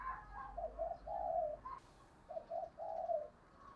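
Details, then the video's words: Female spotted dove kept as a decoy, cooing to quickly provoke wild doves; soft, hoarse coo phrases in short series over steady background hiss, with a brief noise burst in the middle. "cu mai gay kich boi nhanh noi"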